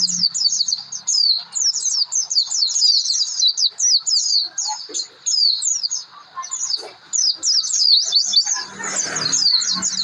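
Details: Oriental white-eye song used as a lure to make other birds sing: dense, rapid high twittering of warbled chirps and trills, almost continuous, with brief pauses and a faint low hum early on.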